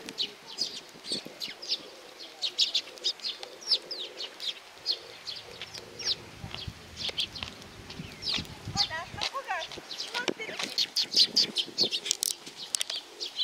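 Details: Sparrows coming to get food at Tenmangu shrine, Nakanoshima, on 7 June 2020: many short, sharp chirps overlap steadily throughout, with a faint lower murmur and a burst of rapid rattling notes near the middle.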